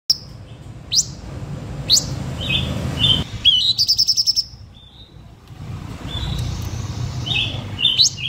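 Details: Blue-winged minla singing as a lure to excite other birds: sharp high whistled notes and short rapid trills, repeated about every second, over a low rural hum.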